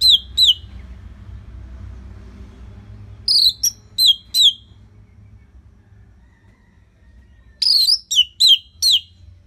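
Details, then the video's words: Orange-headed thrush singing steadily as a training lure for other birds: three groups of sharp, high whistled notes dropping in pitch, two or three notes per group, separated by silent gaps of a few seconds. "Kicauan ANIS MERAH Gacor Selow"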